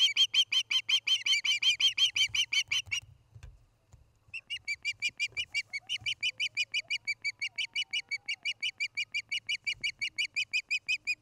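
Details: Osprey at the nest of a breeding pair in Charlo, Montana, recorded by nest camera on an August 2018 evening: rapid, piercing whistled chirps repeated about three per second in a long steady series, with a brief pause near three seconds.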